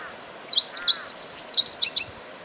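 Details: A meadow bunting delivers a full song phrase while perched upright: a quick string of high, sharp chirps and short whistled notes, clear and close, with little else heard.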